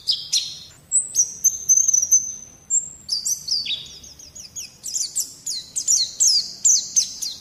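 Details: Training recording of white-eye song for young birds: a few sharp chips, then a long clear high whistle, followed by an accelerating rapid series of bright, downslurred chirps.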